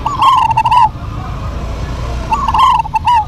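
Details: Local zebra doves singing in a lively duet, one answering another: two cooing phrases near one pitch, each a rolling run of soft, quavering coos with sharp clicking notes, separated by a pause, over low background rumble.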